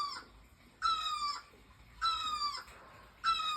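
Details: Bird chirping beside a bougainvillea in full bloom: rich, nasal, slightly falling calls about half a second long, repeated roughly every 1.2 seconds, three full calls and the start of a fourth, over a quiet background.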